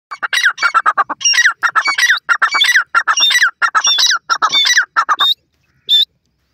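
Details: Gora teetar and Irani teetar, francolins, calling: a rapid run of loud, grating, squawky notes repeated about ninety times a minute, ending with two isolated high squeaks.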